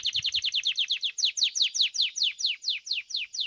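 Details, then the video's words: Competition song of a domestic Belgian canary: a steady series of sharp, descending whistled sweeps, quick at first and then slowing slightly, very regular and clean with nothing else heard. "Canário Doméstico "Belga""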